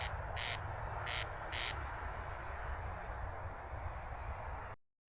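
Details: Corn crake giving its distinctive crex-crex call, likened to nails run over a comb: two dry, rasping double notes about a second apart over a steady low rumble.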